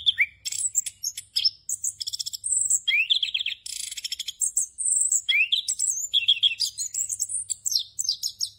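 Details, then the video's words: Orange-headed thrush, a Southeast Asian forest songbird, in full rolling song used to train other thrushes: rich, varied high phrases of whistles, fast trills, and sweeping slurred notes delivered almost without pause. "ANIS KEMBANG NGEROL FULL ISIAN EFEKTIF UNTUK MASTERAN ANIS KEMBANG BAHAN AGAR CEPAT GACOR"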